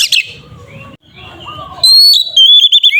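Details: Oriental magpie-robin (kacer), ngeplong-style lure song meant to provoke other kacer. Softer mixed chirps and low background sound come first, then loud, ringing whistled phrases with held and dropping notes in the second half.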